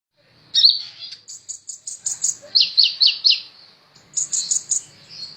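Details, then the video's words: Caged sunbird, described as a very actively singing 'ninja' type kept as a tutor recording for other birds, giving high thin twittering notes and a fast, even string of sharp ticking chips, then a burst of shrill trilled notes. "Burung Kolibri ninja super gacor cocok buat masteran"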